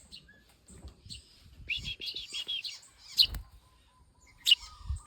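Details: Eurasian tree sparrow chicks being hand-fed give a cluster of shrill, buzzy chirps followed by a couple of sharp single cheeps, with soft handling sounds in the background.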